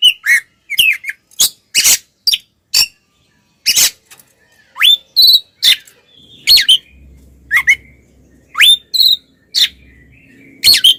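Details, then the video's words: Oriental magpie-robin fighting song used to make other males angry: sharp whistled notes, rising slurs and harsh bursts, with a faint low hum in the background. "SUARA BURUNG kacer gacor NGEPLONG TARUNG konslet"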